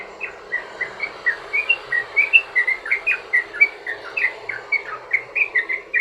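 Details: Lure song of a yellow-vented bulbul in long 'ropel' style, to get other bulbuls calling: steady stream of quick slurred chirps, each phrase of two or three notes, repeated without a break.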